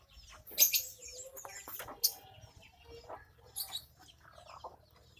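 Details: Angry Javan myna, disturbed while bathing, utters loud rasping bursts mixed with short whistled and twanging notes. The notes come irregularly across a few seconds, some sliding up or down, against a faint low background hum.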